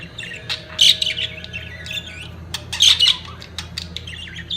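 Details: Budgerigars in mating season chattering: scattered sharp chirps and clicks with two louder squawky bursts, over a constant low hum.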